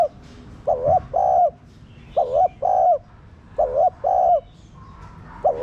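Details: Caged spotted dove coo used to rouse other doves into calling: about four pairs of soft, low two-note coos, the first quavering and the second held, with faint chirps of other birds.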